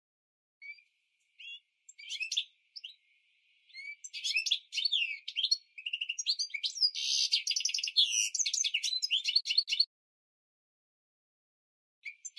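A goldfinch mule sings a bright, rapid twittering song of liquid chirps, trills and buzzy notes.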